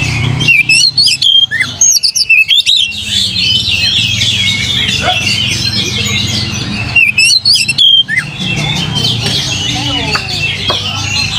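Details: Oriental magpie-robin song used to provoke singing: a dense, loud stream of varied high whistles, chirps and slurred notes, broken by brief gaps, over low rumbling background noise.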